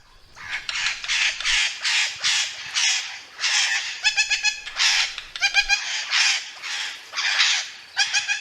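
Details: Indian ringneck parakeet calling "mitthu": a run of rough, grating bursts about twice a second, broken by a few brighter, ringing, ladder-like notes midway and near the end.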